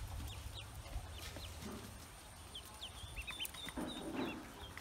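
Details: Freshly hatched Pekin ducklings on a farm utter scattered high, upslurred peeps, a few sharp notes spread across the clip, with low background rumble and soft bumps.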